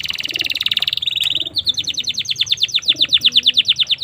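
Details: Domestic canary song for use as a training master or to prompt young canaries: rapid buzzy trills around the upper range, then a long series of quick descending whistled notes repeated about three times a second, with a faint low hum beneath.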